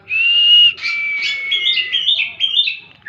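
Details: Kacer, the oriental magpie-robin, in a therapy song recording: a loud sustained high whistle, then a slightly lower drawn-out whistle breaking into a quick series of bright warbled and chirped notes.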